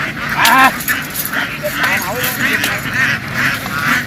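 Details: Farm ducks in a field after running into water and back ashore; loud chorus of many overlapping harsh quacks and honking calls, with splashing and movement noise underneath.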